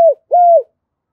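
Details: Spotted dove giving two soft hooting coos, the first short and dropping, the second longer, level then sinking, meant to excite a decoy bird. Quiet background.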